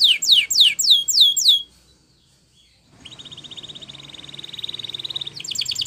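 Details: Spanish Timbrado canary training song: several high downward-sweeping whistles, a pause, then a long soft buzzy trill that grows louder before a quick burst of notes.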